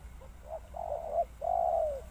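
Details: Spotted dove uttering a drawn-out, slightly rough coo followed by a long falling hollow note, over faint low background noise.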